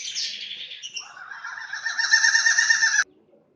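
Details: Captive lovebirds at a breeding aviary in Aceh, Indonesia, giving a continuous harsh, buzzy chatter that swells louder over three seconds and then stops abruptly, leaving near silence.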